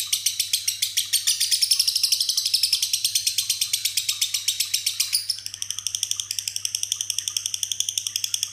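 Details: Ngekek song of a lovebird mixed with isian imitations of jenggot, cililin and gereja; a long unbroken run of rapid, shrill chattering notes that swells, then shifts after five seconds to a thinner, more tonal, ringing rattle, with a faint low hum.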